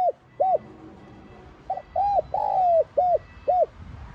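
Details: Spotted dove in son voice giving an urging calling coo, meant to stimulate other doves to coo. It makes a series of short arched coos and one longer falling note over a rough, noisy background.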